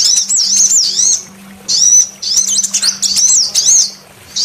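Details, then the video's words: Female sunbird lure call meant to attract males: bright, very high wavering trills and sliding whistles in dense bursts, with short gaps between phrases and a faint low hum beneath. "Pancingan suara kolibri betina untuk memancing semua jenis kolibri males bunyi"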